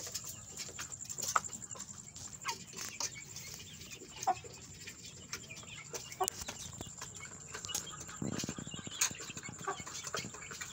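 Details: A group of young chicks said to be fighting: scattered short peeps and chirps over scratching and knocking noises, with a constant high-pitched hum behind.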